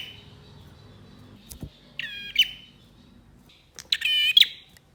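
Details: Male bar-winged prinia song meant to rouse silent birds: a buzzy harmonic phrase followed two seconds later by a louder, fuller rasping burst with a bright ending note; soft clicks and hum underneath.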